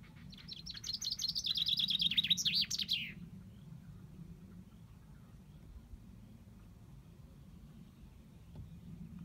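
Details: Common chaffinch song: a rapid, bright trill of repeated notes stepping downward and ending in a quick flourish, followed by several seconds of quiet background hum.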